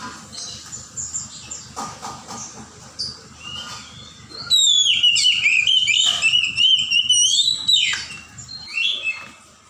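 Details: Wild Oriental magpie-robin from forest, singing loud clear whistled phrases that sweep and warble for about four seconds after quieter scattered notes, over a low droning hum and a steady high background tone.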